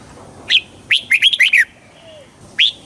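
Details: Red-whiskered bulbul song played to excite the bird: a sharp whistled note, then a quick run of five bright, slurred whistles, and after a pause another single clear note, over a quiet background.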